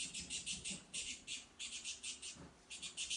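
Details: Saffron finch in the wild, singing bright high chirped phrases made of short notes repeated in quick bursts, with brief gaps between phrases, over faint low background noise.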